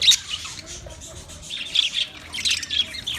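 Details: Budgie song on 14 March 2024: short, high, scratchy chirps and squawky notes in quick succession, with brief pauses between bursts.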